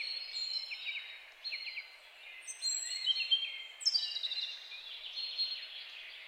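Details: European goldfinch (Carduelis carduelis), song.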